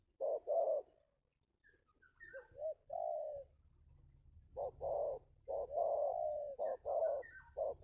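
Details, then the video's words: Spotted dove of the local 'kuk 2' type, used as a lure for wild doves. Soft hollow coos come in bursts: a pair of short notes, a pause, then a string of clipped and sustained coos with faint higher whistles. "SUARA TEKUKUR LOKAL KUK 2 AMPUH UNTUK PANCINGAN BURUNG TEKUKUR LIAR"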